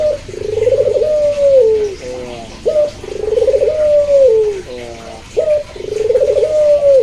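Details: Puter dove cooing, from a comparison of pelung and local varieties: three repeated phrases, each a short sharp start and a trilled, rounded coo sliding down at the end, with brief rattly notes between.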